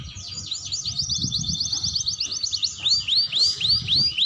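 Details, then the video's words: Young canary learning to sing, used to prompt young canaries to sing quickly: rapid trilled phrase of repeated high notes, then a run of loud, clear downslurred whistles at a steady pace, with low background rumble. "Suara Kenari Muda Belajar Bunyi"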